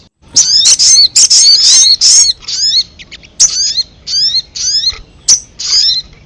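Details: Ruby-cheeked sunbird lure call for drawing in wild birds: loud high sharp chips and short twittering bursts, followed by spaced, thin, descending whistled notes repeated about twice a second.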